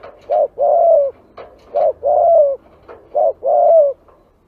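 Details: Spotted dove cooing for luring doves, three pairs of a short low coo and a longer falling rolled coo, with soft clicks and light background noise.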